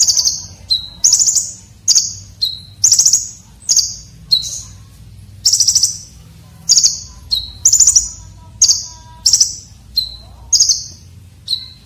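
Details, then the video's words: Shrill filler song of a red-breasted konin, rough and sharp, meant for tutoring contest birds. Piercing high trills are broken by brief lower whistles in a steady, fast rhythm of roughly one phrase per second. "KONIN Dada Merah isian Kasar tajam"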